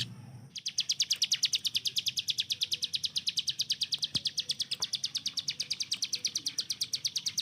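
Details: Hill prinia held in captivity to train the speed of other songbirds. Fast, even rattle of sharp ticking notes, about three per second, continuing without a break after a short opening pause.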